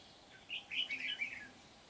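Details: Decoy red-whiskered bulbul during a trapping session for wild birds in Kim Bôi, Hòa Bình, Vietnam, on 8 September 2019, giving a short, bright warbling phrase of rapid, rolling notes over a quiet background.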